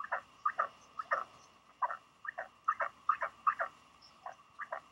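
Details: Northern royal albatross chick at Pukekura/Taiaroa Head, New Zealand, after a day of visits from young non-breeding adults; rasping double notes in uneven bursts, some paired closely, with brief gaps, over a faint steady tone.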